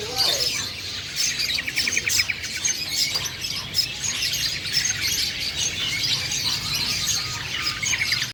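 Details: Black-headed long-tailed shrike, a lured bird, singing vigorously: bright chattering notes with quick repeated trills, high and scratchy, continuing for several seconds against faint low background noise.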